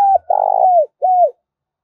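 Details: Clean lure call of a spotted dove meant to excite wild doves. A cut-off arched coo runs into a long buzzy coo that slides downward, then a final rounded coo, with no other sounds.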